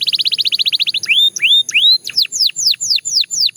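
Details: A Belgian canary (Serinus canaria) sings a fast, even trill of about fifteen high notes, then rising whistled slurs and quick down-swept notes, with nothing else heard.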